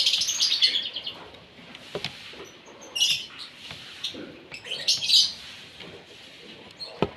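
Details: Asian pied starling given its morning feed so it sings vigorously; scattered harsh, scratchy chatter bursts with a few high squeaky notes, loudest near the start and around five seconds, separated by quieter gaps.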